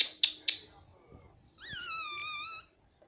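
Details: Pet pahadi parrot calling indoors: three sharp clicking chips, then a long harsh call with many layered harmonics, rising then gently falling, lasting about a second.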